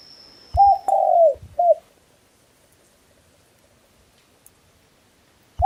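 A single brief crow in three hoarse, mid-pitched parts, with a short first note, a longer drawn-out falling note and a clipped ending. A faint high whine precedes it, then near silence.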